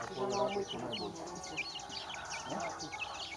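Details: Chirping baby chickens give scattered high, clear peeps and short slurs, with a brief low voiced sound at the very start.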